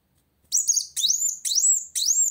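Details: Van Hasselt's sunbird singing to challenge an opponent: four drawn-out, piercing high notes, each sliding steeply upward and then holding, spaced roughly half a second apart after a short silence.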